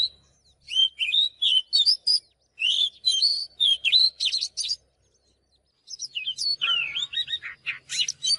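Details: Oriental magpie-robin song for training songbirds: dense, fast bursts of warbled and slurred whistles with sharp accents, a brief pause, then more hurried varied phrases over a faint low hum.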